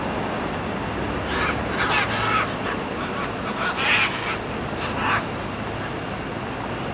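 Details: Macaws from flocks in very tall trees and in flight by the sea in tropical Costa Rica give about five harsh, raspy squawks scattered over several seconds, over a steady rushing background like surf.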